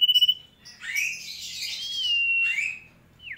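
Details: Sooty-headed bulbul singing energetically: a short high trill, then a burst of bubbly, scratchy warbling that settles into a steady whistle, with a brief downward note at the end.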